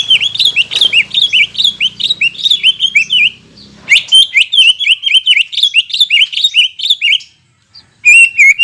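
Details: Greater green leafbird in full voice, a lure to revive singing after moulting: dense, rapid chains of looping whistles for several seconds, a short pause, then more, ending with a clear high note.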